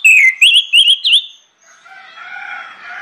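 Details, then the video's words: Orange-headed thrush song meant to prompt other birds to sing: four quick, loud whistled notes with sharp upward twists, then a fading murmur of softer background calls and hum. "PANCINGAN ANIS MERAH NGEPLONG NGOTOT YANG LAIN AUTO NGIKUT"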